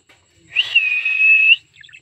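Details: Single long whistle from a pet cockatiel, rising sharply at the start and then held level for about a second, with faint chirps afterward.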